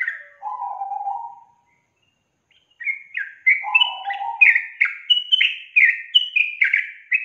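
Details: Sooty-headed bulbul song used to stir a lazy young bird to sing: a low warbled phrase, a pause, then lively bubbly whistles stepping up and down, about one note every half second.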